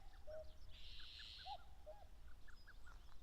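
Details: Wild common cuckoo, Mount Fuji foothills, Japan, late May, amid territorial rivalry: low cu-coo notes repeated, a long buzzy trill overhead and many short high bird notes scattered through.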